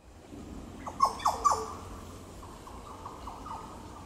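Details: Yellow Oriole at Goomboora Park, Cairns, Queensland, Australia, on 9 September 2022: three loud, liquid, downslurred whistled notes in quick succession, followed by softer, fainter repeated notes.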